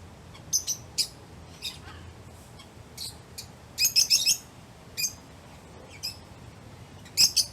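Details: Lovebirds calling when playing, eating or excited: scattered high, sharp chirps at uneven intervals, with a dense cluster of rapid chirps in the middle and another burst at the end.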